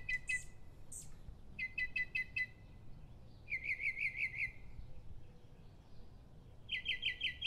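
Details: Mockingbird singing before dawn: a varied run of high phrases, each a quick burst of repeated sharp notes, changing type every second or so, with gaps of quiet hiss between bursts.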